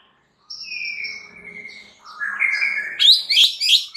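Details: Singing white-rumped shama, used to stir other shamas to sing: a sustained whistle with a higher echo note, a rising warbled phrase, then quick sharp notes in rapid succession.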